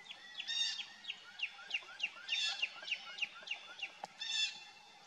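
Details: Northern cardinal recorded 27 January 2024 at 11:09 along Fay Lake Road Trail, Watkins Lake State Park, Jackson County, Michigan; a quick series of about a dozen clear downslurred whistles, roughly three per second, with a sharp click near the end.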